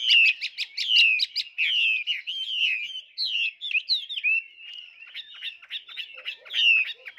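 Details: Tame caged Chinese hwamei in full song: a rapid string of rich, varied whistles, trills and slurred phrases, opening with quick repeated notes and continuing almost without pause, loud and clear.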